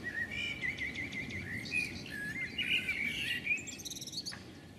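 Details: A female common blackbird scolds from a house rooftop, giving rapid strings of chattering, chucking notes and higher squeaky bits before departing, with low background hum throughout.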